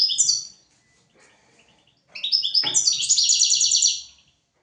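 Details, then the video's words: European goldfinch singing on a recording meant for teaching goldfinches and canaries: a bright high twitter, then a pause and a long run of rapid, tinkling, buzzy notes lasting over a second. "تغريد طائر الحسون حفاضة لتعليم طيور الحسون والكناري بدون أخطاء"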